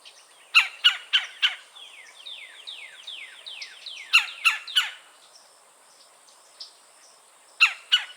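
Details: Red-bellied Woodpecker in Florida gives harsh, loud "cha" chuck notes in quick bursts of three or four, with softer, falling churr-like notes in between.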